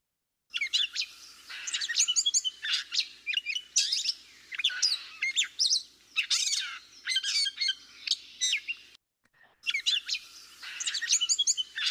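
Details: Gray catbird song, very up and down and aimless, somewhat like a robin but less clear: a long run of varied squeaky, chattering high notes in quick bursts with brief pauses, nothing repeated.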